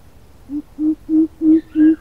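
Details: Lure call of a coucal, known locally as bubut: five deep, hollow hooting notes on one low pitch, rising in loudness and repeated roughly every third of a second, with a faint higher overtone on the last notes.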